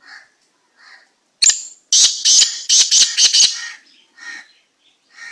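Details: Black francolin described as a strange slate-coloured kind, giving a loud burst of harsh, high-pitched rasping notes in rapid series, preceded and followed by softer lower squawks.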